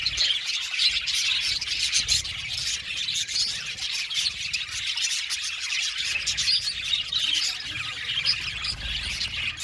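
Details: Steady budgerigar chatter: many birds giving quick high twitters and rasping chirps in an even, unbroken wash of sound.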